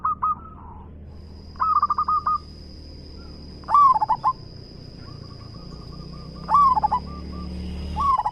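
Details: Local zebra dove (perkutut), described as an eager singer with a big voice, repeating loud cooing phrases of a swooping note and quick stuttered beads, with a softer similar phrase between them; a constant faint high-pitched whine persists.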